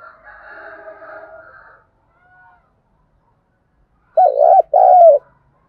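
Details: Spotted dove lure call for stirring up wild doves: a soft, drawn-out humming note first, silence, then two loud, low, wavering coos close together.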